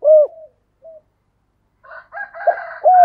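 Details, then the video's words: Spotted dove coo in the 'thổ' style, used to rouse stubborn wild doves into calling: a loud opening coo and a brief soft note, then a rough, noisier stretch of sound, closing with another strong coo. "cu gáy giọng thổ đầy đủ bài bản, giúp những con bổi cứng đầu ức chế và nhạy gáy"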